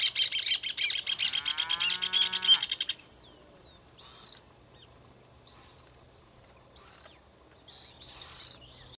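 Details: One of two Suiriri Flycatchers on a black espinillo tree in Chajarí, Argentina, singing: a bright, rapid chattering series of high notes for about three seconds, then a few scattered short chirps against a quiet rural background with other birds.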